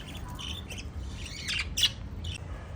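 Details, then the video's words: Five little lovebirds of a parrot family chirping: a few short, bright, harsh chirps and squawks scattered across three seconds over a low, steady background rumble. "Five Little LOVE Birds Chirping Sound"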